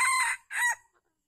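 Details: Red junglefowl crowing during a trapping session with a captive decoy bird at Calang, Aceh Jaya, 12 February 2020; two loud, hoarse harmonic syllables, the first longer and the second shorter and rising, then silence.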